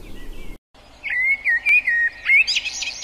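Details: Song of a common blackbird: a string of clear, mellow whistled notes, each slurring up and down, delivered in quick succession and ending in a thin, high-pitched squeaky flourish. Light background hiss.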